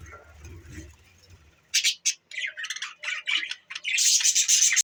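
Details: Pet budgerigars, December 14, 2023: after a quiet low rumble, sharp squeaky chirps follow in a quick, irregular series, ending in a dense, buzzy warble.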